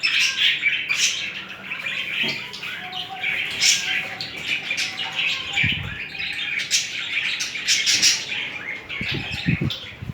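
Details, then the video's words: Budgerigar pair mating and courting: steady rapid chirping warble with scratchy clicks and short squawks, a busy, unbroken chatter with a few low thuds near the end. "تزاوج طيور الحب البادجي و حركات رومنسية بين الطائرين"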